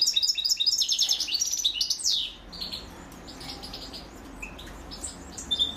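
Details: European goldfinch female feeding her chicks; high, thin chirps and rapid twittering notes in quick bursts for about two seconds, then softer scattered high chirps over quiet background.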